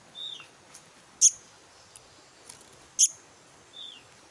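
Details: Two loud, squeaky, high rasping notes from a Black-naped monarch chick, nearly two seconds apart, while faint thin downslurred whistles sound before and after.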